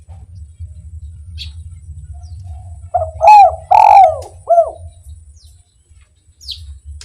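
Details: One spotted dove phrase in the kuk 1 style, played to prompt other doves to sing: a quiet lead-in, then three throaty coos with a long falling centre note, followed by near silence.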